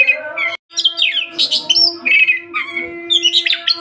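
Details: Kept Oriental magpie-robin in lively song: short whistled notes, then a cut of near-silence, followed by varied warbled and slurred phrases and sharp high notes, with a constant steady tone running underneath.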